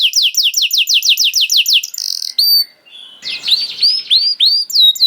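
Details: Canary song, played as bait to make other canaries start singing quickly: a fast trill of about ten downward-sweeping whistles, a short buzzy note, a brief pause, then looping rising-and-falling whistled notes.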